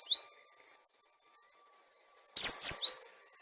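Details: Cinereous tit lure sound with a clear voice, used to train silent tits: a single short chirp, then after a pause three loud, high, sharply descending whistled notes in quick succession.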